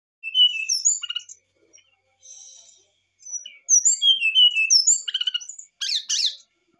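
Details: Brown-chested jungle flycatcher in an emotional outburst of song meant to provoke a response: clear, slurred whistles jumping between high and middle pitches, sung in quick bursts with short pauses, ending in a harsher buzzy note.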